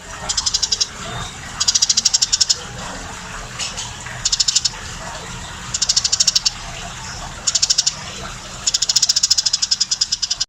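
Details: Tame Eurasian tree sparrow in energetic song, with spaced bursts of fast, dry, rattling chirps roughly every one to two seconds, over a faint background hiss.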